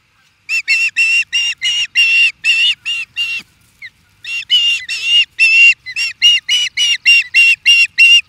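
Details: Osprey calling at an intruder in Charlo, Montana, USA: an insistent stream of loud, harsh, high chirps repeated rapidly for about eight seconds, with one brief pause midway.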